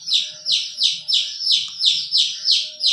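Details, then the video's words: Chicken, a hen with her colorful young: loud, high peeps that slide downward, repeated steadily about three times a second, with soft low clucking underneath. "Hen chirping sound"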